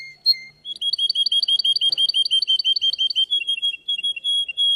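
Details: Contest singing from a Russian canary, opening with a short chirp, then a long, steady, rapid trill of paired high notes at about three per second, shifting to a lower rolling tour near the end.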